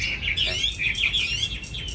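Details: Caged young Chinese hwamei singing a stream of slurred, wavering whistled notes with quick up-and-down inflections, over a steady low background hum.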